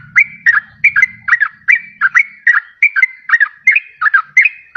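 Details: Yellow-vented bulbul song for luring wild birds and prompting quiet ones to sing: chuckling bubbly two-part phrases repeated about every third of a second, with a faint low hum early on.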